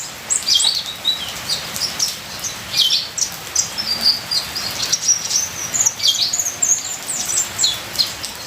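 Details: Ninja sunbird delivering a full song rich in fills: continuous high-pitched chattering twitters and quick whistled slurs, almost unbroken over eight seconds, backed by a soft, even sound of falling rain.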